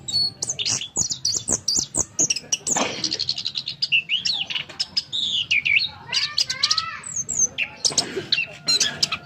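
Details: Orange-headed thrush, locally punglor kembang, a bird for sale, pours out a dense, fast medley of sharp chips, rasping notes and curving whistles with hardly a pause.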